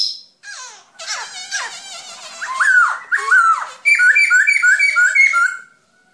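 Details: Black-throated laughingthrush song: opens with soft wavering notes. It builds into loud, ringing, down-slurred whistles, then a fast series of bright, bouncing whistled notes, about five per second, before stopping.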